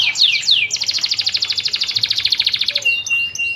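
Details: Canary singing vigorously (gacor): a few looping whistles, then a fast, even trill of repeated notes lasting about two seconds, ending in scattered chips over soft background noise.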